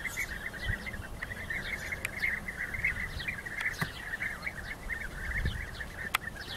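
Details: Several European bee-eaters in rival fights call nonstop with rolling, gurgling notes, punctuated by a few sharp clicks and brief higher chirps.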